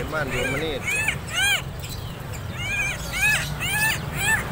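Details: Tame, kept Helmeted Friarbird from Lombok, just after bathing, giving loud, nasal, arching notes, about two a second in uneven bursts, over a low background rumble.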